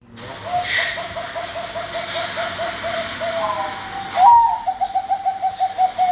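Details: Captive zebra dove (perkutut) of the Bangkok type cooing: a long steady string of soft, rapid pulsed coos at one mid-low pitch, then a higher slurred note and another run of evenly spaced rhythmic coos; constant background hiss.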